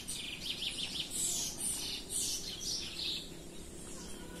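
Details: Chestnut-bellied seed finch singing free in the Belém song style: a run of bright, high chirps and short whistled phrases in quick succession over a low, steady background hum.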